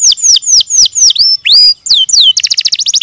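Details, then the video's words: Canary giving loud descending whistled slurs and one rising note, then switching to a quick, clipped high trill. "Suara Burung Kenari"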